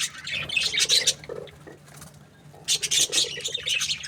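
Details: Budgies chirping: two bursts of harsh, scratchy, high chatter, the first under a second and a half long, a quieter gap, then a second burst toward the end, with a faint low hum underneath.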